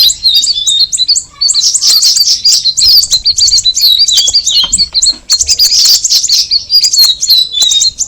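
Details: Extended cucak rawis (Straw-headed Bulbul) song of continuous high, bubbling chirps and swooping whistles, with two busy peaks of overlapping notes separated by a brief lull.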